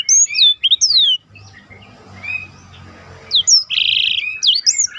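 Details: Black-throated canary song for training contest birds, with bright swooping whistles at start and end separated by a quieter pause with faint distant notes.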